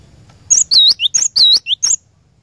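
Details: Cinereous tit song to stimulate a caged bird: a brief burst of piercing, high whistles, each dipping and rising, mixed with a few lower slurred notes, about one and a half seconds long, silence on either side.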